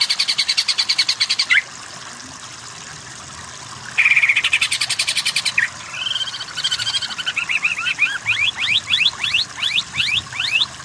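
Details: Cucak ijo (greater green leafbird) masteran for weak singers to become kejer; rapid pulsed trills, then a varied series of quick, sharply falling whistled notes repeated over several seconds.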